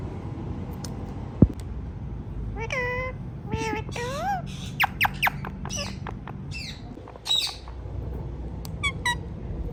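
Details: Ringneck parrots talking, giving sparse harmonic squawks and wavering speech-like notes separated by pauses, plus a sharp knock and a constant low background hum.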